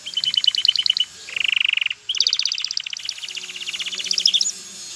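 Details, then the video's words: A male canary sings to get a female ready for mating and nest building: lower pulsed notes, a dense buzzy roll, then a long accelerating high trill ending in a rising note. "اقوى تغريد ذكر الكناري لتجهيز انثى الكناري للتزاوج و تحفّزها على بناء العش"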